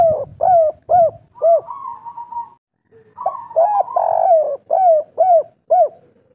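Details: Local wild spotted dove in the 'kuk 3' pattern: quick, evenly spaced arched coos, a held steady note, a short break, then a dense phrase of loud falling coos near two per second.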